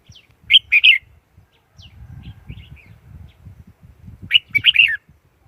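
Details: Lure-bird song of a Red-whiskered bulbul, played to draw in wild birds for trapping: two short, rich warbled phrases of three or four notes, with a soft low rumbling and tapping between them.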